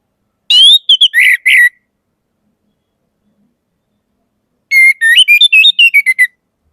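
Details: Orange-headed thrush delivers two rich whistled phrases several seconds apart. The first is slurred and warbling. The second is a rapid stepped series of about ten notes rising and falling.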